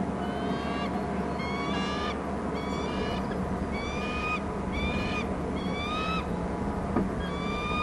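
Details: Bald eagle off the nest by the waterside on Hornby Island, giving loud calls: bursts of thin, high, chittering whistled notes that rise slightly, about seven series in eight seconds, over steady low background rumble.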